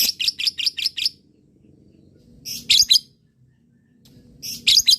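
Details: Lovebird, a prolific fighter-type singer, played to prompt other lovebirds to answer: short clusters of quick, shrill chattering chirps separated by pauses, with a faint low hum underneath.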